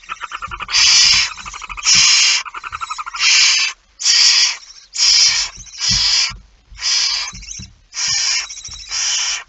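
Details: Barn owl at the nest during feeding, recorded 19 September 2019 at 05:28: harsh, breathy hissing bursts of about half a second, repeated roughly once per second, with faint rustling between them.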